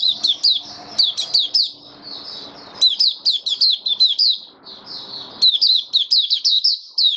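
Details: White-eye on 08-01-2022 giving its opening song: quick, high, sweet twittering with repeated sharp upswept notes in fast runs, one brief break, and faint background hum.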